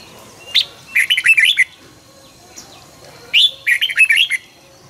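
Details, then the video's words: Red-whiskered bulbul morning song, used for training birds to sing fired up: two bursts of quick, bubbly, warbled phrases, each about a second long and separated by a pause of nearly two seconds, each opening with a sharp higher note. "luyện chào mào hót sáng 2020- Hót hay nhanh căng lửa"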